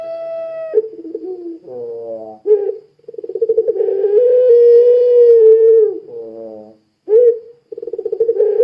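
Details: Puter pelung dove, a frequently singing bird used as a lure to get other doves calling, giving a low pulsed rolling coo that swells into a long steady drawn-out note, then breaks into short stuttering coos.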